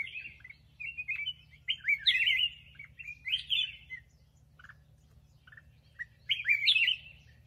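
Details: Captive black-crested bulbul singing two loud bubbly, warbling bursts separated by a quieter gap with a few soft notes, over a steady low hum.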